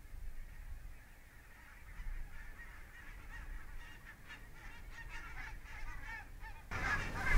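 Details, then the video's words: Wintering flock of barnacle geese from the Svalbard breeding population at Mersehead RSPB Reserve, Dumfries and Galloway, in November 2011. Distant massed yapping calls swell midway through, with low wind rumble and a louder burst at the end. "Barnacle Geese - Branta leucopsis"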